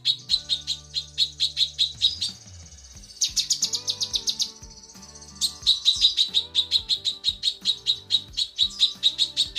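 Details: Calling female lesser green leafbird summoning the male: rapid runs of sharp high chips broken by a harsher, louder buzzy burst and a short pause, then the chip series resumes. Low steady background tones throughout.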